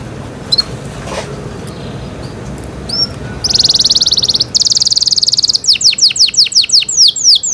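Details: Canary in cenkok style, starting with faint scattered chips over soft background hiss, then bursting into dense buzzy high trills and finally rapid downward-sweeping whistled notes repeated in a steady run.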